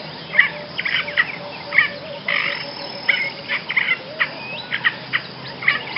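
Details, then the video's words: Basra reed warbler singing in short scratchy, chattering bursts separated by brief pauses, with an occasional thin rising whistle, over a steady background hiss. "kicauan burung Basra Reed Warbler"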